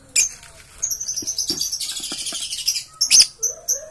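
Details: Green lovebird chattering: rapid high-pitched twittering and shrill chirps running almost continuously, with a few short lower clicks.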